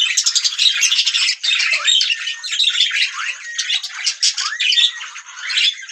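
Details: Several budgerigars, pet parrots, singing together in a continuous dense warble of chirps, squeaks and buzzy notes, with frequent short rising whistles over steady chatter.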